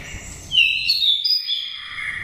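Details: A brief phrase from a wild-caught Dak Lak oriental magpie-robin, five seasons old, with a wild-type voice for luring: a sharp rising whistle followed by sustained high, clear notes.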